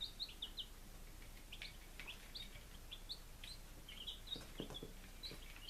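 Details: Five-day-old chicks, Lunenburg, Massachusetts, July 23, 2017, give shrill, downward-slurred peeps, several close together, with a few low thumps and scratching sounds near the end.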